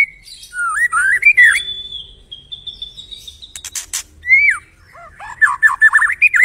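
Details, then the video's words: White-rumped shama song used as a master recording to prompt other birds to sing: clear whistled phrases sliding up and down, a long thin steady whistle, then a burst of sharp clicks and a run of quick rising notes. "Masteran murai batu"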